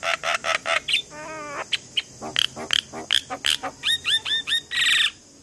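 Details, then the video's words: Asian pied starling singing in the morning as a lure for young birds: loud grating notes, a quivering nasal phrase, then sharp squeaks, repeated bent whistles and a final hissing rasp. "Pancingan jalak Kebo pagi hari Untuk Semua Jenis Burung jalak Muda Bikin Gacor"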